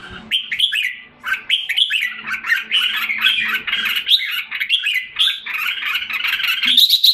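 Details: Caged red-whiskered bulbul in Singapore, recorded 7 July 2017 while recovering health and form after a drop in form, sings a continuous run of bright, chattering warbled phrases with quick rising and falling notes and a faint low indoor hum beneath.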